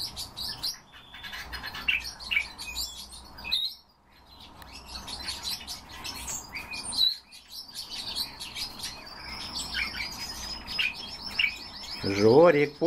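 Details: Pet common starling kept indoors, urged by its owner to sing: a dense jumble of chirps, clicks, whistles and scratchy notes, with a drawn-out buzzy whistle near the end and a person's voice praising it.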